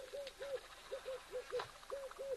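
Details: A dove, thought to be a Red-eyed Dove, picked up by an African wildlife live-cam microphone, gives a run of short, mellow, gently arched coos in loose pairs over a faint hiss and a single click.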